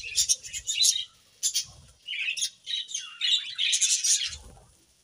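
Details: Budgies frolicking in a leafy bath on a sizzling day give a continuous stream of high, chattering chirps and squeaky warbled phrases, with brief low rustles of leaves and water.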